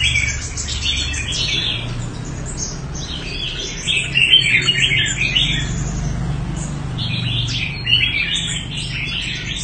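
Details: Red-whiskered bulbul of good singing quality from Đại Quang, Quảng Nam, Vietnam, delivering fast lively whistled and chattering phrases in bursts, louder in the middle, with a low hum behind.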